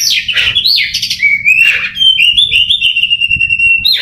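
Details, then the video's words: Contest-trained Oriental magpie-robin giving a strong, varied song: a few harsh chattery notes first, then a long clear whistle held almost level, ending in a short sharp note. "Kacer Rusak || dengan Sabar dan ulet menghasilkan Kacer siap di konteskan"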